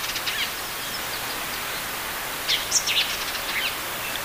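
Flame-rumped tanager giving a short burst of sharp, high chirps, four or five notes in about a second, over steady background hiss.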